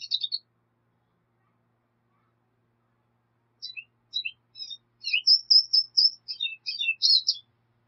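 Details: Black siskin song: a short burst of chirps, then after a pause a building run of high, sweet twittering notes and rapid trills lasting about four seconds.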